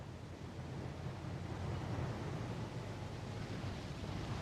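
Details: Steady low rumble of wind and surf with no animal calls heard.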